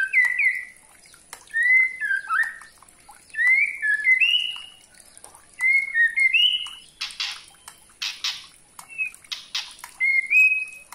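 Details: White-rumped shama (murai batu, trotol type) singing in gacor style as a lure to provoke other shamas. Clear whistled two- and three-note phrases, often rising, repeat about every 1.7 seconds, with harsh rasping bursts mid-clip over a steady high hiss.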